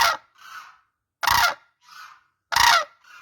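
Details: Crane calls: three loud, rasping trumpet blasts about 1.2 seconds apart, each trailed by a quieter, lower echo-like note, with nothing else audible in between.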